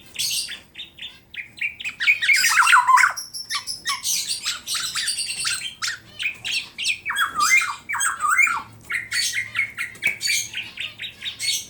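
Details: Tame caged black-naped oriole from Klaten, Central Java, singing a long varied medley of harsh squawks, rapid high chatter and slurred fluty phrases with irregular rhythm.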